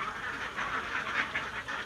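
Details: Domestic ducks on a farm, nesting together to lay eggs, make a chorus of rough overlapping quacks in short bursts that swell and fade, several birds calling at once.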